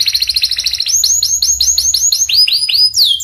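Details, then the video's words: Pied canary singing a rapid buzzy trill that turns into a steady run of looping, down-slurred whistled sweeps, about four per second, ending on a sharp falling note. "Kenari panda gacor"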